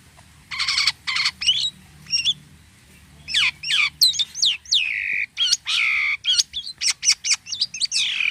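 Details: Actively singing jalak kapas starling giving unusual sounds: scratchy buzzy bursts followed by clear, sharply falling whistles and quick chattering notes in an irregular series, with a little low background rumble.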